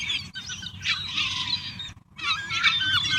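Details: Wild gulls gathered at a pile of food and pizza give bursts of busy overlapping squeals and cries, broken by two short gaps, over a low background rumble.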